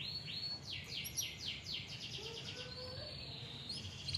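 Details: Canary singing as a lure for young or reluctant canaries: quiet sweeping whistled notes followed by a buzzy high trill, with a steady low hum underneath.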